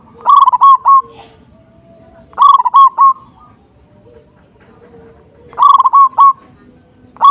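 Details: Zebra dove singing to rile a rival bird: loud clusters of four or five quick, clipped mid-pitched notes, repeated about every three seconds, with soft low background sounds between phrases.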